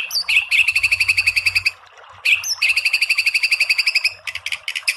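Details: White-rumped shama (murai batu) in a masteran tutor recording of full tembakan rapid-fire song: two long bursts of fast, evenly pulsed high notes about four per second, each opening with a sharp rising whistle, ending in a quick stuttering trill.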